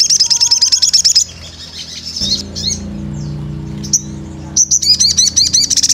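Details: Sunbird (sogon) in gacor voice for pancingan: rapid high wavy chips, a pause filled with low hum and scattered soft notes, then a renewed burst of sharp high chips with downslurred squeaks.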